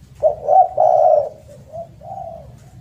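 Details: Spotted dove giving a loud, melodious call meant as a tutor for doves that stop singing: a rough rising coo, a long drawn-out hoarse note, then two softer trailing coos, all low and mellow.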